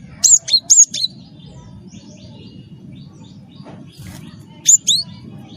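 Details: Cinereous tit (gelatik batu wingko) in lively song, used to prompt other birds to sing: a burst of three high, sharp chirped notes, a quiet gap, then two more sliding chirps, over a steady low hum.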